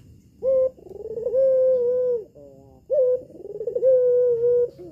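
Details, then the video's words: Red-eyed albino female collared dove, a home-kept bird whose voice is used to stir males into answering: two long sustained low coos, each opening with a sharp higher note and a wavering, rolling section, separated by short stepped notes. "PUTER ALBINO BETINA MATA MERAH SIAP PANCING [[BIKIN GACOR JANTAN ]]"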